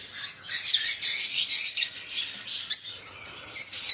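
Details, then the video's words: Lovebirds keep up a dense, shrill chatter of rapid high chirps and squeaky twitters in uneven bursts, with short gaps, and no other sounds. "LoveBird Singing & Chirping Sounds"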